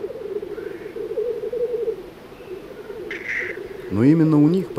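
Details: Black grouse males (blackcocks) at an open-ground lek in the Baikal Nature Reserve area, Buryatia, fighting each other, keep up a steady, low bubbling coo that rolls on without pause, with a brief hissing note and a man's voice near the end.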